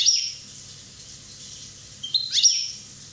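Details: One-year-old Corsican European goldfinch singing: two short high twittering phrases with a quick rising sweep, about two seconds apart, over faint low background hum.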